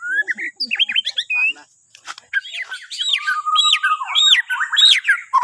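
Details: Bornean white-rumped shama singing, used as a morning lure to prompt other birds to sing: varied whistled and chattering phrases, rising and falling notes with sharp upswept slurs, a short pause midway, then repeated bright looping phrases.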